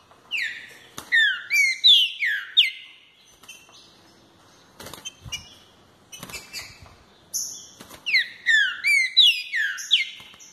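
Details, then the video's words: Green-winged saltator gives two bursts of loud, clear whistled phrases of quick sliding notes, with sharp knocks and clicks in the pause between them. "Fibra impressionante desse trinca"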